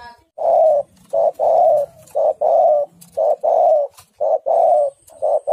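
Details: A female spotted dove calls the male with a steady run of mellow coos, about five pairs of a clipped note and a drawn-out hoot; a faint thin high tone enters near the end.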